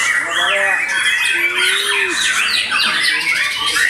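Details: White-rumped shama after its moult, singing a dense, loud run of rapid chattering notes and quick high sweeping whistles, with a lower drawn-out whistle rising then dropping near the middle.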